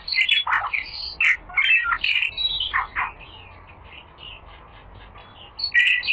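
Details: Rare 'little fellow' bird song used as mastering material for pet songbirds: sharp squawky chips and high clipped whistles in irregular bursts, quieter scattered notes in the middle, with faint background hiss.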